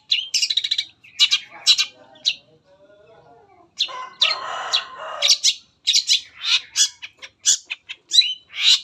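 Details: A Long-tailed Shrike lure song aimed at prompting other shrikes to sing. Bursts of rapid high chirps and trills alternate with a brief raspy rustle, then scattered sharp squeaks.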